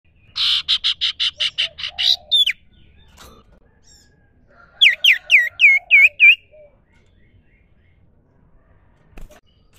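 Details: Common iora giving wild, natural song: a fast run of buzzy, rasping notes, then a bright series of downslurred whistles repeated about three times a second, with soft dove-like cooing faintly behind.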